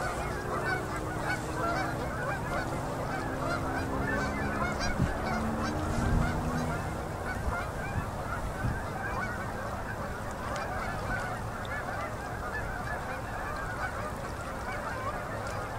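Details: Endless flocks of migrating Canada geese settling onto a river in Manitoba, Canada, at sunset in October 2018. Ceaseless massed honking with a low, even drone through the first half.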